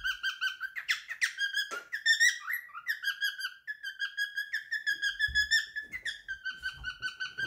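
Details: Pet male cockatiel, three years old, whistles his favourite song in a room, opening with a few sharp sweeping notes before settling into a long series of evenly spaced warbled whistles, light knocks in the background.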